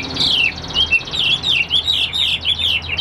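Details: A caged Chinese hwamei, still only about 85% tame, delivers a fast, continuous warble of looping whistled notes that swing up and down in pitch without pause.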